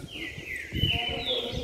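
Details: An agitated caged canary sings a long buzzy phrase that slides down, then a higher whistled note follows, over low rustling and cage noise.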